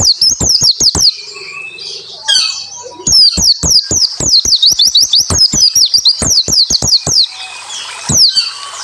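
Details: Japanese white-eye pouring out dense tembakan song as a tutor for lazy singers; quick high piping notes, a short lull with soft lower tones, then a sustained run of rapid, shrill, sliding whistles.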